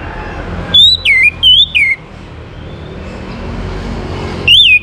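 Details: Song of an orange-headed thrush, used as a lure to get other birds singing: four loud whistled slurs in a quick run, some dropping in pitch, then a pause of steady low noise and one more rising-falling whistle.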